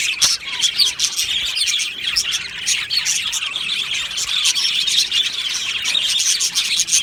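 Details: Budgerigar colony in an aviary, steady chorus of squeaky chirps and warbling chatter, with a few louder sharp tweets standing out near the start.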